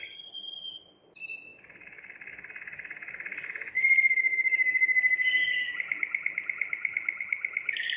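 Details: Belgian Waterslager canary in training, its clear melodious song said to imitate running water: a high whistle, then long rapid rolling trills that swell louder near four seconds and end in a slower, evenly spaced run of pulsed chooks.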